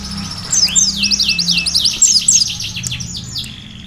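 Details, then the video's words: Sunbird song with canary-style fill: a fast, high, glittering trill of short repeated notes, then a run of downward-slurred whistles. A soft low hum sits underneath. "asli suara burung kolibri isian"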